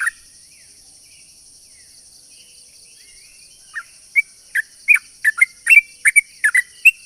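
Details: Sooty-headed bulbul in lively song with long rolling phrases, used as a lure to make other sooty-headed bulbuls respond: a run of short, clear whistled notes that quickens from scattered calls into a rapid burst, over a faint steady high hiss.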